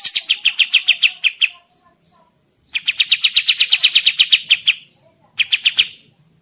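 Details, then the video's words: Kapas tembak bird singing actively, used to lure birds in the forest: three bursts of rapid, high, evenly spaced chattering notes separated by short pauses. "suara pikat kapas tembak gacor"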